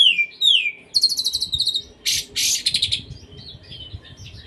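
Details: Oriental magpie-robin song with 'kapas tembak' imitation phrases: two falling whistles open it, then fast rattling notes, harsh buzzy bursts, and softer twittering notes at the end.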